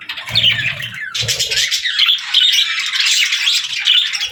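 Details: Parakeets at play, singing and talking in a continuous rush of scratchy, high chirps and whistled squeaks with no breaks, with soft low thumps early on.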